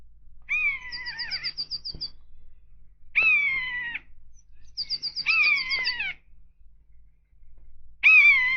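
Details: A common buzzard (Buteo buteo) soaring over tall trees and hunting rodents gives four drawn-out, plaintive, downward-sliding mewing cries of about a second each. A small bird, a blue tit, gives high, rapid notes in between.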